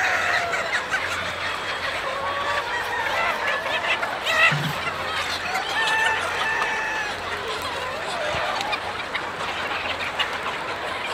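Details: Chicken farm flock giving a busy overlapping mix of harmonic clucks and longer wavering calls, several birds at once, over a constant crowd hiss and a faint low hum.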